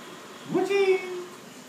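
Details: A pet blue-and-gold macaw searching for its owner gives one drawn-out call, rising quickly then holding a steady, fairly low, voice-like tone for under a second, in a quiet room.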